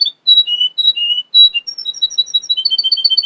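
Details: Short burst of song from a Russian canary kept by a Miami, Florida breeder: a few separate slurred whistles, then a high, quick rolling trill of sharp repeated notes.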